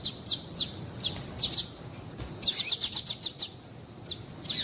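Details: Yellow-bellied seedeater female calling, used to rouse males into song: evenly spaced single high chips, then a quick run of about eight sharp notes, a pause and a final short chip burst.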